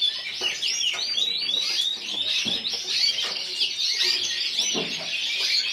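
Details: Steady, loud stream of high chirps and rapid trilled notes from a yellow frosted lipochrome canary placed individual runner-up at the 2014 Burgos singing show.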